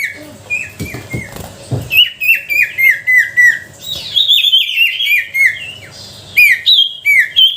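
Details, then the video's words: Lure song of a sooty-headed bulbul, used to draw out silent bulbuls: low clicks and knocks at first, then a lively, steady stream of bright, slurred, downward-dipping whistled notes repeated several times a second. "Suara pancingan sirtu pikat gacor dor,sangat ampuh untuk memancing sirtu malas bunyi."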